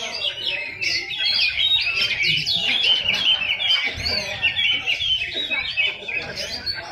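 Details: Contest shrikes sing fast, varied chattering phrases of sharp notes and short squeaky slurs, repeated in quick bursts by several birds together, with faint crowd noise underneath.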